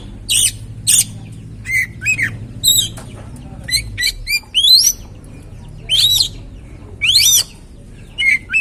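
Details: Oriental magpie-robin (kacer) song to spark another bird's singing: sharp whistled chips and rising slurred notes, irregularly spaced, with a low hum in the background early on.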